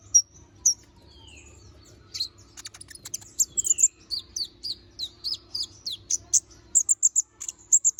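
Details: Little spiderhunter (kolibri ninja) delivering a chatty, sharp song: sparse notes build into a steady series of loud, high, slightly downslurred chips, ending in quick clusters of piercing notes.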